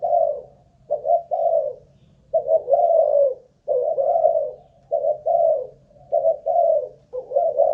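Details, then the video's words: Spotted dove of Malaysian stock, a caged ground decoy tested for endurance, gives steady hoarse coo phrases of two or three notes, each group followed by a brief silence, with no other sounds. "Cu Gáy Mồi Đất || Test nước bền chim cũng thấy khá ổn"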